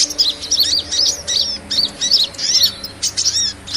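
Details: Sunbird (kolibri) lure calls for small birds: short, high twittering phrases repeated about twice a second, each a sharp chirp with a quick falling whistle.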